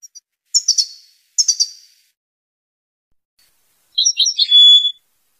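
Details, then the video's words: Tunisian European goldfinch with two short scratchy chirp bursts, then after a pause a dense tinkling, twittering phrase ending in a drawn-out buzzy note. "تغريد طائر الحسون التونسي Tweet du chardonneret tunisien"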